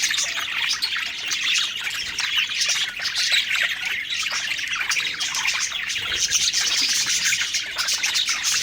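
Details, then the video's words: Several cheerful parakeets feeding and singing together give steady, overlapping high warbles, squeaky chirps and scratchy chatter, a lively, constant chorus with no quiet gaps. "Happy Singing & Eating Parakeet Budgies Birds"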